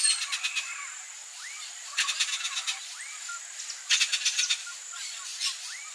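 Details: Wild turquoise-fronted amazon (Amazona aestiva) chick being fed by its mother gives harsh, rasping begging bursts in quick runs of five or six, with soft rising whistles and a steady high insect hum behind.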